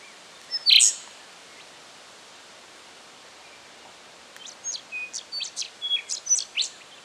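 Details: Rufous songlark, Victoria, Australia, September 2011: one loud ringing phrase, a pause, then a steady series of about ten sharp high notes interleaved with thin whistles, repeated roughly four times per second.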